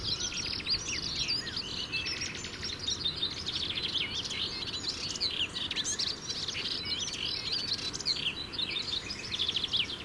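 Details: Male melodious warbler singing each morning from the topmost twig of a shrub beside a lane in the Brenne, France, on territory. A fast, continuous, varied stream of high chattering and twittering phrases runs over a steady low background rumble.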